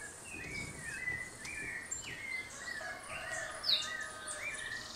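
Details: An Ecuadorian thrush (Turdus maculirostris) near Mindo, Ecuador, gives short, slurred whistles that rise and fall, repeated about every second, over a steady hiss of insects and other distant birds.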